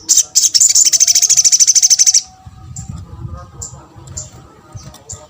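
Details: Sunbird call meant to prompt other sunbirds to answer: a loud, rapid, high-pitched trill of evenly repeated notes lasting about two seconds, then a few faint, high chips against a quiet, low murmur.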